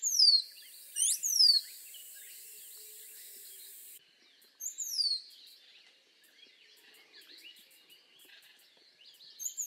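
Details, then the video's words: A Rose-throated Becard gives thin, high, descending whistles in short bursts a few seconds apart, with faint chips between. "Rose-throated Becard Bird Song"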